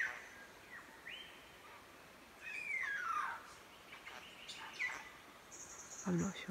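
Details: Satin bowerbird (Ptilonorhynchus violaceus) in trees by a creek on a rural property in Victoria, Australia, gives varied short rising whistles, a long falling slurred note and buzzy mechanical rattles, calling to impress a female or scare off a rival.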